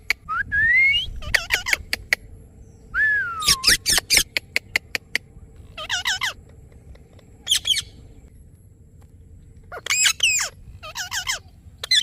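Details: Rose-ringed parakeet calling: loud, harsh, screeching squawks given in short bursts, some with rising and falling notes, separated by pauses, over low background rumble.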